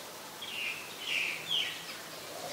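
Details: Common myna in Ubon Ratchathani, Thailand, 15 December 2020: three faint slurred whistled notes in quick succession, wavering and slightly falling, over steady background hiss.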